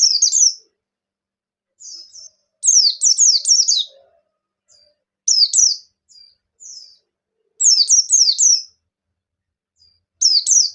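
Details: Bustomi-type white-eye singing, used to prompt other white-eyes to start singing. Bursts of high, thin, rapid descending twitters recur every few seconds, with a few soft isolated chirps in between, against a silent background.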